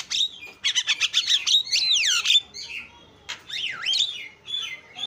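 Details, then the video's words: Isian-style song of a Javan myna, a fast string of chattering clicks about four per second, followed by looping whistled slurs that swoop down and up, then softer wavering whistles. "JALAK KEBO SUPER GACOR SUARA ISIAN"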